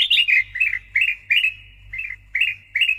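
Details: A Sooty-headed bulbul, a male in full song used as a lure and training recording, sings loud, bubbly chirping phrases, two or three quick notes at a time, about twice a second over a faint low hum.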